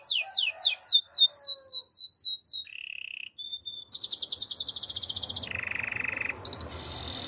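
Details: Spanish Timbrado canary sings a series of falling slurred notes repeated about four times a second, a short steady trill, then a long fast metallic rattle and further trilled phrases.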